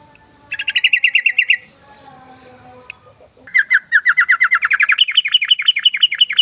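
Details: Yellow-vented bulbul (trucukan) giving its rapid "ropel" rattling song, used as a lure. Fast runs of repeated chipping notes, about ten per second: a short burst, a pause, then a longer run that steps up in pitch near the end.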